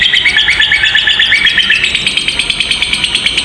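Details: Two lovebirds giving a long chattering trill, used to train young or silent lovebirds: dense, rapid repeated shrill notes, steady and unbroken, over a noisy hiss.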